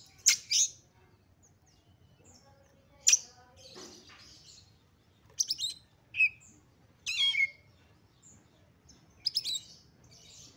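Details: Oriental magpie-robin, said to be a female in breeding condition calling with high excitement to trigger singing in others: scattered sharp high chips, rasps and short downslurred whistles separated by pauses, softer overall, with low background hum.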